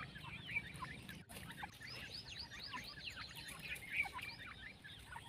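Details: Young partridges in a group calling: busy overlapping high cheeps sliding downward, with a short break near the start, then a renewed burst of chirping.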